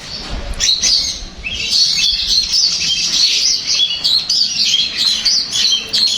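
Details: A long-tailed shrike's continuous, varied song, used to get another shrike to reply and sing; a nonstop jumble of high chirps, trills and slurred whistles.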